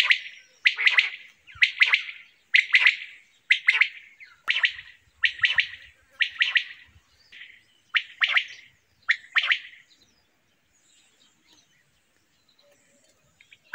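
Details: Steady series of quail calls, rough chirping triplets at about one per second for ten seconds, then near silence.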